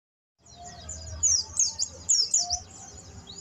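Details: Buxton's white-eye learning canary-like song: very high, thin twittering with quick bursts of sharp, rising and falling chirps, over a faint low background hum.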